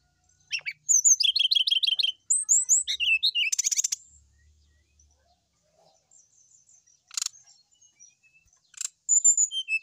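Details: Full song of a sooty-headed bulbul, used to set silent bulbuls singing: rapid repeated chattering notes in tight bursts, fast high slurred twitters, short rattles, and a last burst of quick notes.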